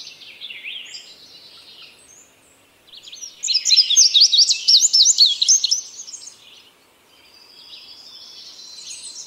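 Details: Indigo bunting song: a brief low-level buzzy lead-in, then a loud two-second phrase of high, sharp, paired chirps, fading into soft thin buzzing.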